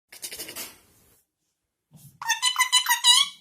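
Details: A happy parrot gives a quick run of squeaky, chirping notes, bright and rising and falling, after a brief harsh rasp and a short pause.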